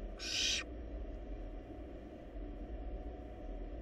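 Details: One brief loud hissing screech at the start from a wild barn owl nestling swallowing a large rabbit in a nest box, followed by several seconds of only low rumbling background noise.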